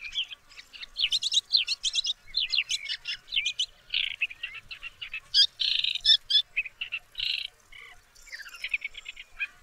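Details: Song of a woodchat shrike, Lanius senator: jumbled bursts of fast chirps and sweeping whistled notes mixed with harsher buzzy blocks, phrases tumbling one after another in a restless, scratchy stream.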